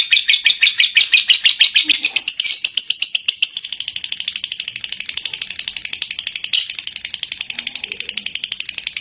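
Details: Lovebird in Palembang, Indonesia, singing a loud, dense chattering stream of rapid buzzy notes, first a fast twittering phrase, then a steady raspy rattle pulsing about twice a second.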